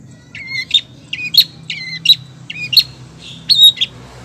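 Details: Calling female long-tailed shrike: a repeated phrase of a low whistle followed by a higher chirp, given about every seventh of a second apart in groups, roughly five times, with a low hum underneath.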